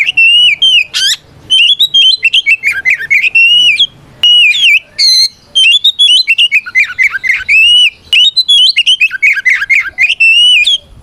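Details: Oriental magpie-robin in sustained fighting song to challenge rivals: long rapid strings of clear whistled notes dipping and rising, broken by a few harsh buzzy bursts and short pauses.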